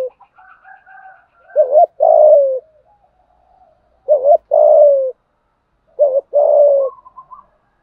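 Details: Challenge cooing of a spotted dove, used to train decoy birds: three loud phrases about every two and a half seconds, each a short wavering double note then a longer falling coo, with quiet murmuring between.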